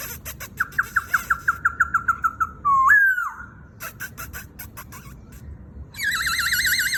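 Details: White-browed laughingthrush singing gently to lead a young bird, with rooster-crow imitation: a rapid run of about fourteen repeated whistled notes, a rising crow-like swoop, sharp clicks, then a loud quavering warble.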